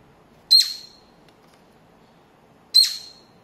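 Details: A cockatiel playing peek-a-boo with its head poked into a paper tube gives two loud, harsh, screechy calls about two seconds apart, each sliding down briefly, in a quiet indoor room.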